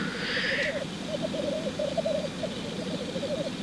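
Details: Black grouse lek display: a short rushing hiss opens, followed by the continuous low bubbling rookoo song in rolling phrases, with steady outdoor background noise.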